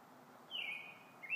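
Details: Evening song of a robin: one long whistled note that drops quickly then holds steady and fades, followed by the start of a second rising whistle, against a quiet hissing background.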